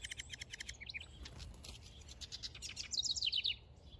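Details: House wren, a male building a nest in a backyard, gives a rapid chattering run of high notes that ends in a quick, bubbling cascade of falling notes.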